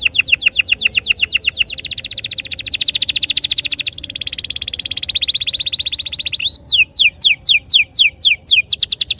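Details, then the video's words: Canary master song for training: quick repeated downslurred notes, then a long rapid buzzy roll lasting several seconds, ending with a burst of clear, spaced descending whistles. "Suara mastetan burung kenari _ PANCINGAN AMPUH KENARI BIKIN CEPAT BUNYI NGEROL GACOR"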